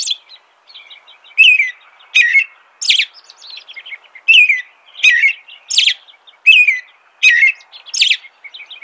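An American robin sings a steady run of clear, caroling whistled phrases, roughly one per second, laced with thin, high squeaky notes.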